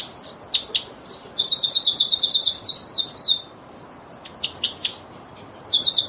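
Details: Lizard canary singing: high, rapid trills and chattering runs of sharp notes, with buzzy rolled passages and brief pauses between bursts.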